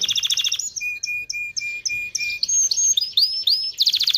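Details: Canary song meant to stimulate mating: a buzzy trill, then a run of steady flat whistled notes, then rising upslurred notes, ending in another rapid buzzy trill.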